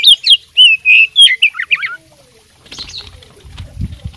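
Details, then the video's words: Fighting oriental magpie-robin singing mimicked phrases: loud, long whistled notes and quick descending slurs for two seconds, then faint background noise and scattered soft sounds. "suara kacer petarung bongkar isian gacor full masteran"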